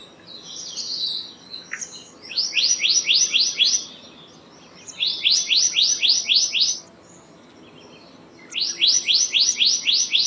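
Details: Black-naped monarch, also called black-naped blue flycatcher, singing loud, clear phrases of about seven rapid, sharply rising whistled notes. The phrases repeat every three seconds or so, with a brief rough note before the first and little else in the background.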